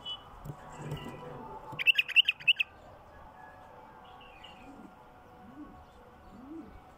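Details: Wild bulbul song, a style called al-Qafila (the caravan), used to stimulate wild bulbuls: one quick burst of about five bright, bubbling notes near the two-second mark, then faint softer calls over a steady background hum.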